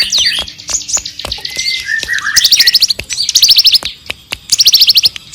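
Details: Bar-winged prinia in full song, a tutor recording for magpie-robins: looping, twisting high notes and a long falling whistle give way to rapid rattling trills of sharp chirps in short bursts.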